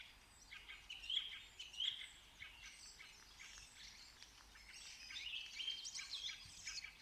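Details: Bird song outdoors: quiet, high chirps and short whistled notes in overlapping bursts, several birds singing together over faint background noise.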